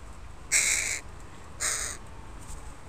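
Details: Crows in a park, a family of parents with their young, recorded on a Sunday: two loud, harsh, drawn-out caws about a second apart, then a faint third, against quiet low background noise.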